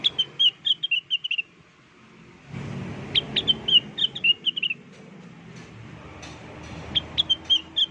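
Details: Lure song of the blue-winged leafbird (cucak wilis, rengganis), sung lively: rapid bursts of high, sharp whistled notes in quick series, broken by pauses, with a rushing background noise that cuts in and out between spliced sections.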